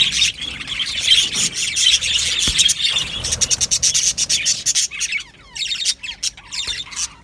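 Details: Australian budgerigar colony in an aviary: dense high chatter at first, then a fast run of clipped repeated notes and quick downward-sweeping chirps.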